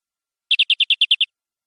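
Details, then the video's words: Short song phrase from a canary in energetic gacor, nembak-style singing: eight quick, rattling chip notes delivered in under a second, high and clean, with silence around them. "Suara Kenari durasi panjang"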